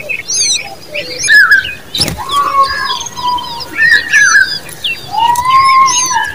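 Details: Common babbler chicks beg with drawn-out, slightly rising nasal whines and scattered high chirps, interrupted by a sharp click-like noise near two seconds.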